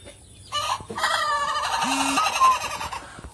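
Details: Ayam ketawa rooster, an Indonesian laughing chicken breed originating in Sidrap, South Sulawesi, recorded at Meulaboh. It gives a crow whose sound resembles human laughter: a long harmonic call broken into rapid, chattering pulses lasting almost three seconds.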